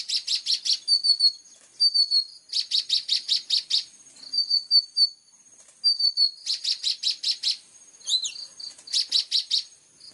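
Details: Plain-throated sunbird in energetic 'full tembakan' song, clear-voiced tutor recording: bursts of rapid sharp high chirps alternate with thin drawn-out whistled notes and short pauses.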